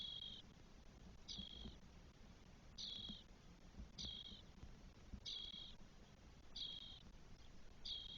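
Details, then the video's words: Four spotless starling nestlings, day 12, in their nest in Spain, 1 June 2022. Scratchy hiss-like calls recur about once a second, unevenly spaced, over a steady low background hum and occasional faint knocks. "ШПАК ЧОРНИЙ. ГНІЗДО. ЧОТИРИ ПТАШЕНЯ ДЕНЬ 12."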